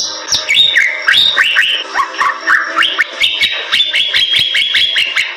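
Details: Bali myna singing at length, in the lively style called gacor: a fast run of whistled, rising and falling notes between sharp clicks and snapping ticks, with a bright burst of notes after the first second.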